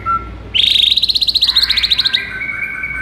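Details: White-rumped shama song meant to provoke a lethargic bird: a fast, even buzzy trill of rapid high notes for about one and a half seconds, followed by soft whistles.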